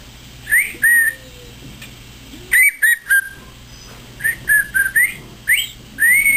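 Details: Pet female African grey parrot indoors at home, vocalizing freely for the camera: clear whistled notes, some rising and some level, given singly and in quick bursts of two or three. A person's voice and soft room noise are in the background.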